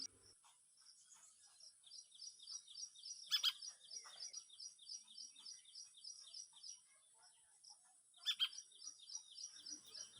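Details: Young Indian golden oriole in a garden backyard, calling for its foraging mother nearby; thin high chirps repeated in quick series, with two louder broadband bursts.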